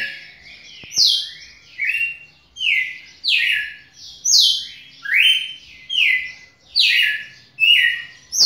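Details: A red-cowled cardinal sings loud, clear whistled phrases, each slurring down or up, repeated about every second.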